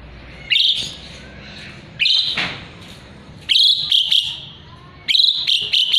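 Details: An actively singing jalak suren (Asian pied starling), a tutor bird for murai batu, delivers repeated harsh rasping phrases, some broken into fast stuttering notes, with short silences between.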